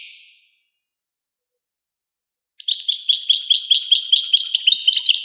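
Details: European goldfinch: a faint fading note, more than two seconds of silence, then a lively stream of high, rapidly repeated tinkling and twittering notes running to the end.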